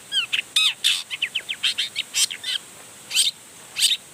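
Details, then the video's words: Long-tailed shrike in spirited song intended to set other shrikes singing; quick varied chirps and slurred whistles in a rapid sequence, then two isolated loud notes after a short pause. "Cendet Gacor Full Emosi Bongkar Materi Bikin Cendet Lain Langsung Panas Nyaut Ikutan Bunyi"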